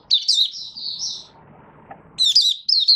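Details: A caged Malaysian Oriental white-eye (mata puteh), not yet in form, opens its song on 1 August 2023: a rapid, high, twittering song in two bursts of thin jumbled notes separated by a short pause, with faint background murmur.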